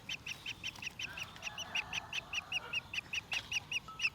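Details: Young parrot chick begging at its morning milk feeding: a rapid, steady series of short, high chirps, roughly two or three per second, with faint background noise.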